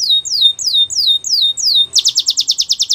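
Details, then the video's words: Belgian canary giving six clear downslurred whistled notes, evenly spaced about every third of a second, then switching abruptly to a loud, rapid pulsing trill. "The Most Beautiful Canary Singing | Belgian Canary Song"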